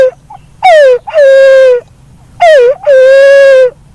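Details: Black-naped fruit dove (punai walik haji, walik kembang) calling with two-part hoots, a brief dipping note followed by a drawn-out level tone, heard twice in close succession over quiet low background noise.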